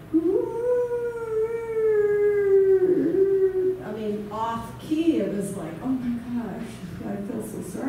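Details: A Common Loon, one of the local loons from lakes around Tonasket, gives a long, mournful note held about three seconds and slowly falling, then rougher wavering notes, with a person talking over them; a female loon with a boat-injury spine curvature had an altered call pitch.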